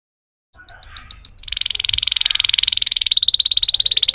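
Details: Song canary starting with several rising chirps that run into a rapid continuous trill, shifting partway to a higher, more sharply pulsed roll.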